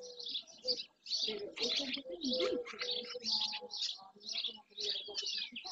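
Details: Dozens of barn swallows, many of them juveniles, gathering in early June around an ornithological centre and the marsh edge in Doñana National Park, Andalusia, Spain, on a live webcam; dense, busy high chirping and twittering with lower tonal calls underneath.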